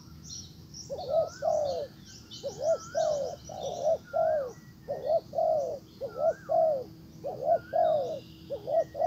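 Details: Decoy spotted dove luring a wild counterpart with paired, mellow coos repeated in evenly spaced groups, each followed by a short gap; small birds chirp high above and a low hum runs throughout.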